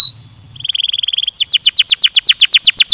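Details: Singing canary, played to stimulate singing: a fast, even, low-pitched rattle of tiny notes shifts into a loud rhythmic series of downward-sweeping whistles, about five per second.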